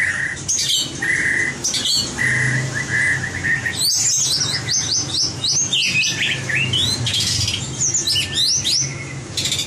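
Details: Competition song of a white-rumped shama for training its many voices: long steady whistles, then a quick cascade of bright upslurred notes, followed by scratchy trills and further whistled phrases.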